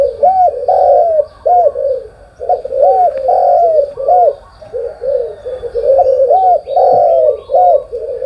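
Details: Spotted dove cooing loudly in the morning, a run of low throaty notes, several sharply arched with a quick rise and fall, separated by short pauses.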